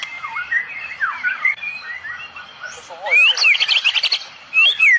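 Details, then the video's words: White-rumped shama of Medan type in full Cililin 'tembakan' song; varied whistled slurs and descending notes, then a loud burst of fast rising whistles and harsh high trills, followed by another rising phrase. "Tembakan murai medan full cililin bikin drop musuh"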